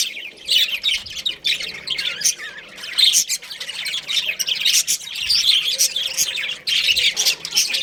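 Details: Breeding pair of budgies, small Australian parrots: dense high chirping and scratchy warbling with sharp clicks, steady throughout, and occasional low thumps.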